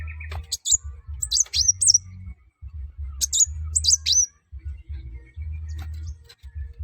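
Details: Sunbird in lively song, used to get other birds singing: sharp, high, downslurred chirps in small clusters, over a constant low background rumble.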